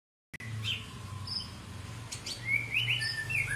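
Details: White-rumped shama, long-tailed Medan variety: short whistled phrases, a flat tone then several quick upslurred notes late in the phrase, over a steady low hum.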